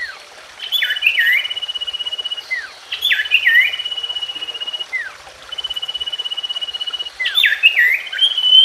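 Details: Common iora song for waking silent kept birds into song: warbled chirp bursts, each followed by a long even trill and a short downward slur, cycling about every two to three seconds.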